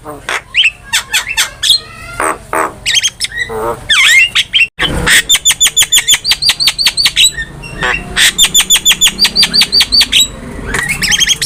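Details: Javan myna in full active song, used as a master recording for training cage birds: dense bursts of sharp chirps, slurred whistles and fast runs of identical ticking notes, with a faint vehicle hum beneath.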